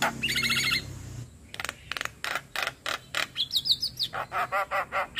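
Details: Javan myna, a master recording of lively full-filled song for training other birds, played daily: a buzzy rattling phrase, then a steady series of sharp clicking notes and a burst of high whistled trills.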